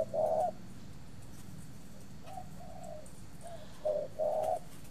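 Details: Spotted dove, a captive breeding bird from a dove aviary in Ba Vì, Hanoi, Vietnam, giving a few soft low coos in short phrases separated by pauses, over a quiet low hum.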